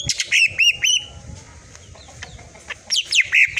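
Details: Green leafbird (cucak ijo) tutor song in full 'tembakan' style. Quick bright whistled notes rise and fall in short bursts at the start and end, with a lull in between.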